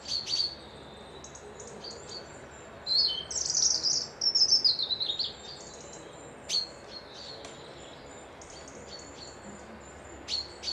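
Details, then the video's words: A bird near a loch by Dundee, Scotland, sings a rapid run of high, sweet whistles that tumble downward. Isolated sharp chirps follow every second or two, with a short trill closing the passage amid quiet surroundings. "Birds whistling"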